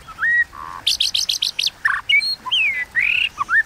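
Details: White-rumped shama singing a fighting song in the 'kéo thuốc lào' style. A varied phrase mixes rising and falling whistles with a quick run of six bright notes, then slurred warbles and lower whistles.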